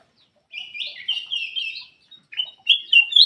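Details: Black-crested bulbul in full song, meant to coax silent birds into singing: a rich warbled phrase with rising and falling whistles, a brief pause, then sharper upward-sweeping notes; clean, quiet background.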